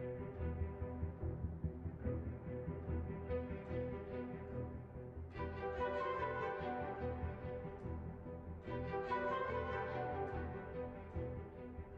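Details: Orchestral music with sustained strings and swelling chords fills the whole stretch, with no animal calls.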